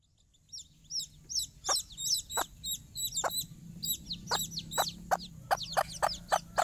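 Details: Mother hen calling her chicks for a morning walk on their first time outside in her care: short low clucks repeated roughly every half second beneath many high, thin chick peeps.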